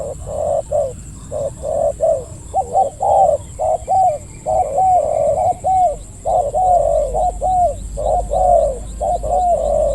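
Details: Spotted dove calling during decoy hunting, described as a big-voiced 'khu ang' coo: deep, hollow coos repeated in quick runs with short gaps, steady and loud throughout, over faint rustling background.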